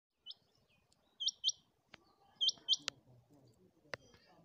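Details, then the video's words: Female quail calling: short, high chirped notes given in pairs, two pairs across a few seconds, with a couple of sharp clicks and faint background noise. "Quail sound/Chinga batair ki awaz /Batair ki awaz"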